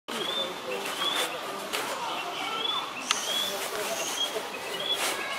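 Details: Male narcissus flycatcher singing on 29 April 2020: clear whistled phrases at a fairly high pitch, repeated roughly once a second, some gently rising or falling, over a steady background hiss with faint distant sounds.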